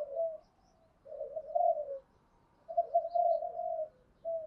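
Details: Spotted dove calls to provoke a wild rival: muffled low coos in two drawn-out phrases with soft notes between, over steady background hiss.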